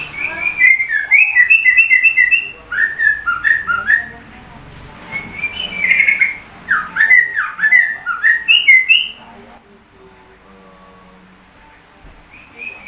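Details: Sooty-headed bulbul singing like a white-rumped shama: bursts of rapid whistled and chattering phrases, rising and falling notes repeated quickly, with pauses between bursts and a quieter stretch near the end.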